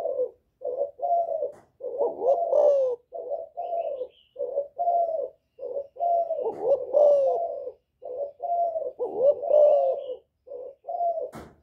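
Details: Spotted dove in Vietnam giving a Thổ-style calling coo meant to provoke rival males: repeated soft, low hooting coos in short groups, some slurred and rising-falling, steady through the recording, ending with a sharp click.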